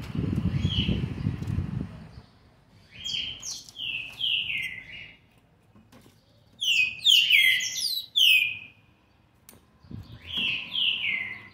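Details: Young green-winged saltator, seven months and twenty days old, recorded 13 November 2020, sings rich whistled phrases of slurred notes falling in pitch, in three bursts separated by pauses; a low rumbling noise fills the first two seconds.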